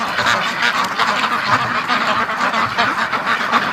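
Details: Flock of domestic ducks, including Muscovies, during the morning rush in a winter snow storm: a dense, continuous wall of overlapping harsh quacks from many birds with no pauses.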